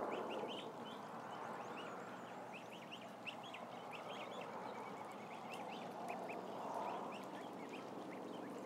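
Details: Dense peeping from around a thousand ducklings: rapid, overlapping short chirps that rise and drop, running without pause above a steady low rumble.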